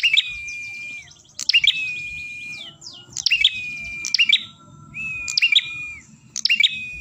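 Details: Ashy tailorbird song meant as a lure for trapping birds. Clusters of bright, piercing chirps each lead into a sustained steady whistle, cycling about every one and a half seconds over quiet low background noise.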